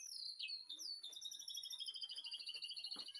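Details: White-rumped shama in a backyard aviary, afternoon, master song for training: falling whistled slides, then a long fast, even trill of high clipped notes at two steady pitches, with a soft thump near the end.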